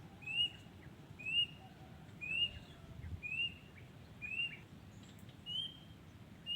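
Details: Wild Yellow-vented Bulbul singing: a short, clear, slightly rising whistled note repeated about once per second, seven times, over a soft low background hiss, with faint high chirps from another bird.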